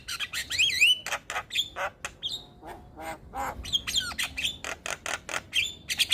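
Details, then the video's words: Javan myna in a lively jalak tutor recording: harsh squawks alternating with loud, looping whistles that rise and fall, delivered in rapid bursts with short gaps throughout. "Masteran Jalak Gacor Untuk Semua Jenis Burung Jalak Auto Ngoceh"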